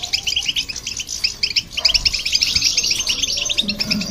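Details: Goldfinch and a hybrid in lively song intended to stimulate other birds; rapid bright twittering phrases, a faint low hum appearing near the end.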